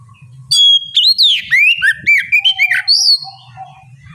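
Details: Oriental magpie-robin singing as bait for other birds: a single rich phrase of clear whistles, downward slurs and quick chirps lasting about three seconds, with faint low rumble before and after.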